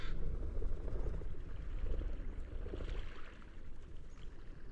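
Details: Low gurgling water and wind rumble dominate throughout, fading slightly toward the end, with no animal voice present.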